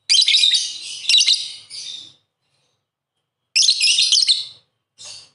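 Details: Lovebird giving the harsh, cackling song style called ngakak, used as master song for tutoring: dense, high scratchy chatter in bursts of about two seconds and one second, separated by silence.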